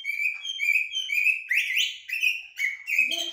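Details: Common blackbird, or jahmoumia, in blacksmith and military song styles, repeating loud, pure whistled phrases about twice a second, each note swelling then dropping, with a few rising slurred whistles in the middle.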